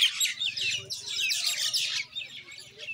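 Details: Common Indian myna: dense, harsh chattering and squeaky chirps crowding together for three seconds with no pause, over a faint low hum in the background.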